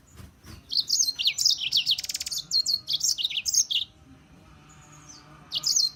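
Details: European serin giving a hurried, jangling run of thin high notes with a rattling, buzzy stretch in the middle, then a pause and a few faint squeaks.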